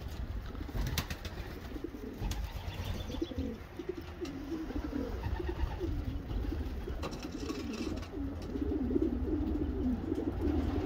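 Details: Racing homer pigeons give low, throaty rolling coos that blend into a near-continuous murmur, with a few sharp clicks and knocks and a constant low background hum.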